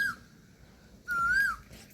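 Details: Indian peafowl in a rural outdoor setting giving a loud, clear, drawn-out wailing call of about half a second that holds level, then rises slightly and drops at the end. A brief call fragment opens the recording, with quiet background noise.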